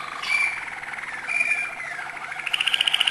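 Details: Malinois canary singing high notes: a smooth rolled trill with a whistled tone, then a slow, pulsing series of clear beaded notes that speeds the rhythm near the close.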